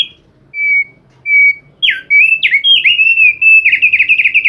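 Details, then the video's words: Thick-billed white-eye singing energetically: two clear level whistles, then a fast run of swooping, warbled whistled notes that slide down and up before a rapid trilling finish. "Burung opyor paruh tebal gacor ngotot"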